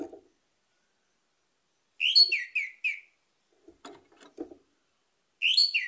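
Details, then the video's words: Lure song of an orange-headed thrush meant to set other birds singing: a quick four-note whistled phrase, heard twice, with a few low dry clicks and knocks between the phrases. "PANCINGAN ANIS MERAH CEPAT GACOR"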